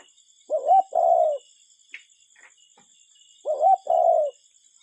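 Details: Real cuckoo heard in nature, no talking or music: two loud two-note calls about three seconds apart, each a brief upward note and then a longer, slightly falling one, with faint high insect hum behind.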